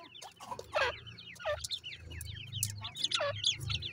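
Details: Reared grey francolin chicks in an enclosure giving quick high peeps that slide downward, several birds at once, with scuffling bursts and a low background hum.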